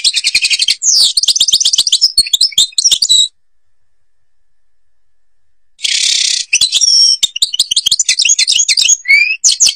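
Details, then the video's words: Algerian European goldfinch song, Babas forest, Tiberli: harsh buzzy bursts and rapid twittering phrases, a silent gap of about two and a half seconds, then another buzz followed by chattering trills. "canto jilguero argelia"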